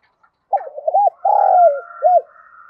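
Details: Spotted dove decoy calling wild doves to come and fight, giving a full phrase of short hooted coos, a long rolled middle note and a final coo, with a faint higher whistling sound behind.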